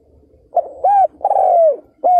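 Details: Spotted dove decoy luring wild males, 2022. A close, loud phrase: a short hoot, an arched coo, a long drawn-out note sliding downward, then another rounded coo.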